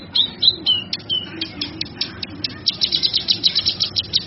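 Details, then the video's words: Cucak kinoi song presented for training caged songbirds: a few clear whistled slurs open the phrase, then a quick series of high, dry chirps repeated steadily to the end. "Suara Burung cucak kinoi"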